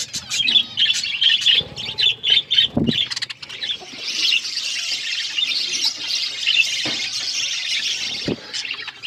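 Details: Budgie chirping opens with a run of clear, repeated high chirps, then settles into a thick, continuous squeaky chatter.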